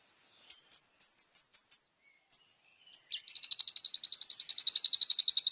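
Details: ['Little spiderhunter singing actively. It opens with a series of sharp, high, separate chips and then breaks into a fast, very high trill that keeps running to the end. No background noise.']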